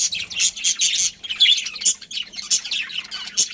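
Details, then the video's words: Budgerigars of a colony chirp in clusters of scratchy, buzzy notes with one clearer squeak among them and short gaps between bursts; low hum faintly present. "Cute Budgies Chirping Sounds"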